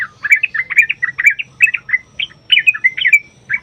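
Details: Sooty-headed bulbul singing a long, lively song meant to draw other bulbuls into answering: continuous bubbling, warbled phrases of short bright notes, quick and uneven, with hardly a gap.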